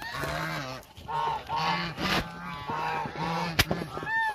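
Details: A flock of about a thousand hungry Muscovy ducks calling together: loud, nasal, honking notes with rising-and-falling arched tones, closely overlapping in a steady clamour, with a sharp click near the end.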